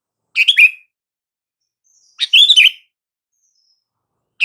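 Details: Sooty-headed bulbul call, used to get silent bulbuls to respond: two short bubbly, chattering phrases with slurred notes, about two seconds apart, in an otherwise quiet background.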